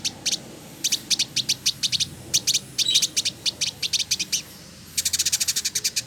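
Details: Male Village indigobird in Bandung, West Java, kept as a song tutor and singing actively. It gives long bursts of rapid, rattling high chips in clusters, and the last burst speeds into a dense chatter.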